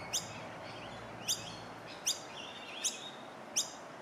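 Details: Noisy miner fledglings in Melbourne, Victoria, in September 2020 give sharp, high chips at irregular intervals, about one a second, begging as adults of the colony feed them.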